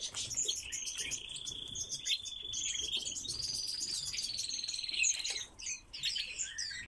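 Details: A captive Pallas's rosefinch gives a long, even, buzzy trill that steps up to a higher pitch partway through, with short high chirps scattered around it.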